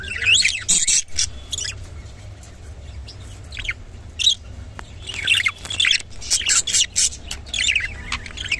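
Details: Rainbow budgerigar giving intermittent scratchy chirps and squeaky chatter bursts, sparse at first and busier toward the end, with a low hum behind.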